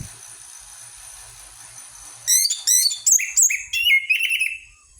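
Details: Orange-headed thrush song played as a lure to get birds singing: after two quiet seconds, a burst of sharp high chirps, then loud clear whistled phrases and trills, with a steady faint high hiss behind.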